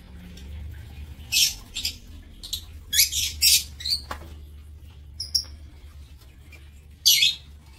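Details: Captive lovebirds in an aviary, 7 April 2024, produce scattered bursts of harsh, high-pitched squawking, with clusters around the middle and a last loud burst near the end, separated by quiet stretches over steady low hum.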